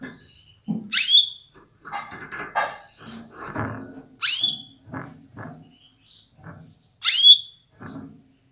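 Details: A female canary calls to excite males to sing at full strength: three bright, descending chirps settling into a short whistle, roughly every three seconds, amid cage rattling and dull knocks.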